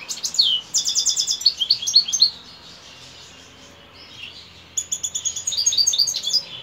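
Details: Evening song of a European goldfinch: fast, high, chattering twitters and liquid trills for two seconds, a gap of near quiet, then another lively run of tinkling notes.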